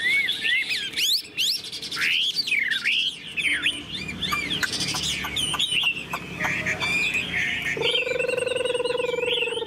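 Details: Tame caged Chinese hwamei with fanned tail in loud song: swooping whistled phrases and rapid chattered runs for about seven seconds, followed by a lower, drawn-out harmonic call.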